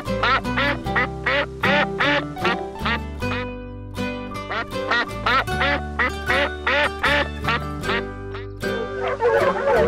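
A duck gives a run of loud, nasal quacks, about two or three a second, over steady background music.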